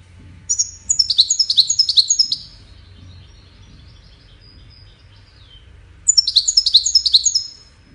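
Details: Goldfinch singing, a song used in courtship and communication: two bursts of rapid, high, cascading twittering notes, the first about two seconds long and the second after a quiet pause of several seconds, over a faint low hum.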